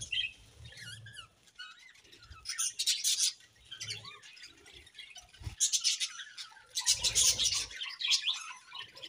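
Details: Happy budgerigars heard in uneven bursts of chirps and thin whistled, wavering notes, softer overall, with quiet stretches between louder flurries of chatter.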